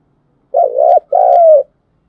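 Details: Deep two-note coo of a spotted dove, used to stimulate decoy birds for trapping. A wobbling first note, then after a tiny gap a longer one easing downward, with faint clicks over it and no other sounds.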